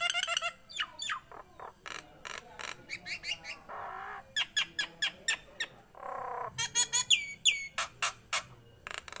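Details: Vigorous song of a Nias hill myna, used to lure and teach other mynas: sharp downward whistles, dense runs of staccato clicks, two grating rasps, and a closing cluster of high whistled notes.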